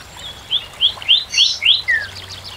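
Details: Short, soft Northern cardinal phrase of five or six slurred whistled notes, the last one sliding downward, over a low background rumble.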